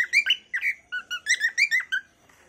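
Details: Short bright whistled chirps from a cockatiel, about ten clipped notes in two seconds, some rising and some falling, ending in quiet.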